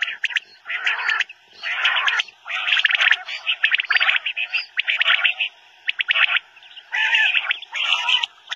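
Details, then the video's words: Common quail (Coturnix coturnix) calls, used for quail hunting, giving bursts of sharp, liquid, rapidly repeated notes, roughly one burst per second, with brief pauses between. "Batair ki Awaz , Batair Sound vol 100 , Common Quail Sound , CALL COMMON QUAIL"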